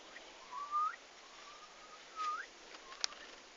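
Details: First turkeys at a farm on arrival day, 11 August 2015: two clear rising whistled peeps about a second and a half apart, with a faint level tone between and a sharp click near the end.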